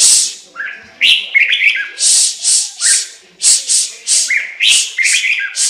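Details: Chinese hwamei song made of quick upward whistled notes mixed with repeated loud, hissing high bursts, each about a third of a second, in a steady run.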